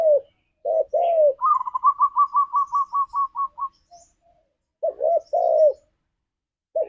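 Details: Spotted dove cooing, used as a lure for pet doves in the 'ngalas' style: deep two-part coos, with a fast run of about a dozen higher, evenly spaced chirping notes between the phrases.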